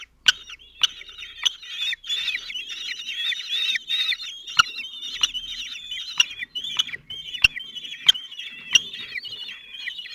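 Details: At a kestrel nest in Théding, France, in late June 2023, a male brings food to four calm 17-day-old young. Steady high, quavering chatter runs throughout, broken by sharp clicks roughly every half second to second.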